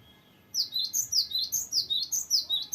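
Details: Loud rolling song from a cinereous tit (gelatik batu): after brief quiet, a steady rapid series of high, sharp, two-toned notes, roughly four per second, without pause.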